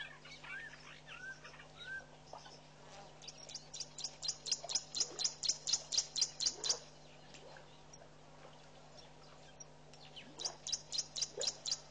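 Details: Southern masked weavers building and lining a nest at a waterhole in Mashatu Game Reserve, Botswana, in February; quick run of sharp high ticking notes, about two a second, rising to a loud burst, then softer chatter.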